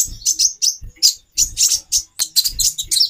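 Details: Separate bright, high chirps from a female olive-backed sunbird, about three to four per second, each short and sharp, given to stimulate a male's mating drive, over faint low thuds.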